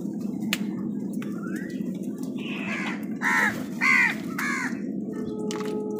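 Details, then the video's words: Crows fighting with wild birds over food; four harsh, harmonic caws come in a quick run through the middle, each short and arched, over a steady low rumbling background with a few sharp clicks. "Crow Soud কাকের ডাক"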